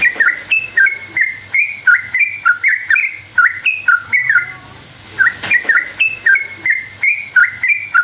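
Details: Lure song of a sooty-headed bulbul, a long rolling series meant to make other bulbuls answer: bright, bouncing whistles in fast phrases, broken by a short silence before a final burst.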